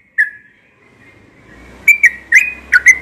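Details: Yellow-vented bulbul, said to sing often in the morning. A single whistled note, then a quiet gap, then a quick cluster of four bright, slurred whistles. A faint low hum runs underneath.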